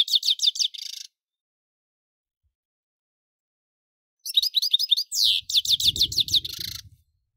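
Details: European goldfinch delivering rapid, evenly repeated tinkling notes, a silent gap, then a longer burst of fast twitters and a buzzy sweep, with a low rumble toward the end.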